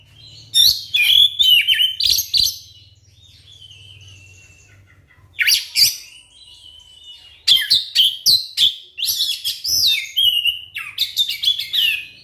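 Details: Oriental magpie-robin lure song played to spur silent kacer into singing: three loud bursts of dense, varied high chattering and whistles separated by quiet gaps, over a faint low hum.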